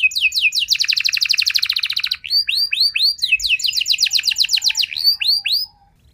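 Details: Canary lure song played so listening canaries answer and sing long phrases. Two long, dense rolling trills alternate with bursts of curved upslurred whistles, about four notes a second, ending abruptly.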